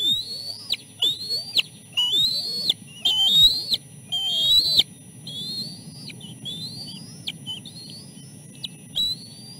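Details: Chicks, three siblings, calling while fed fish at the nest; the oldest fends off the others. A busy run of about eight high, slightly rising whistled notes, each ending in an abrupt downward slur, with low background hum.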